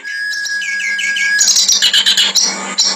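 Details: Clamorous reed warbler (kerak basi) singing constantly in a harsh training recording: a long steady whistled tone, then dense, loud, buzzy chattering phrases with rapid high notes over a low steady hum.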